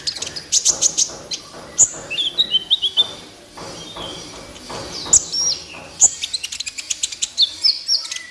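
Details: Van Hasselt's sunbird's gacor song for training captive birds: bursts of very high chirps, sharp rising squeaks and brief twittering runs, separated by short pauses.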